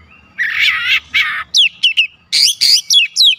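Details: Oriental magpie-robin (kacer) singing a full song with isian fill-in phrases as other kacer join in: harsh buzzy bursts, then a run of sharp whistled notes sweeping down, repeated quickly.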